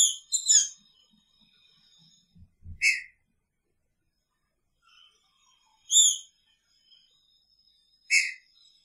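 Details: Caged green-winged saltator, kept with its female in the same cage, singing in picharro style: short loud whistled notes with bright overtones, given in separated bursts several seconds apart, with faint lower clicks between them.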